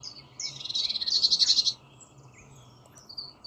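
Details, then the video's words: Rosella calling with a rapid, high, buzzy chattering trill that swells and then stops, over a low steady hum. "Different Rosella Bird Sounds"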